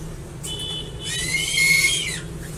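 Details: Crested eagle calling: a single high, thin whistle of about a second, steady in pitch with bright overtones, swelling slightly louder toward its end over a low background hum.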